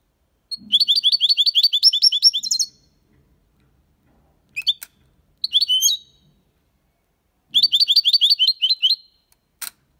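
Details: European goldfinch singing the Málaga-style song meant to stimulate young birds: rapid, evenly repeated tinkling notes in long bursts, separated by short twitters and pauses, with a faint low thump under the first phrase.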